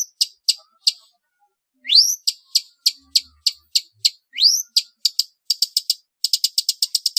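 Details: Long-tailed shrike trotol song, made for training competition birds: sharp dry ticks spaced evenly, two loud rising whistled sweeps, then fast clustered ticking runs.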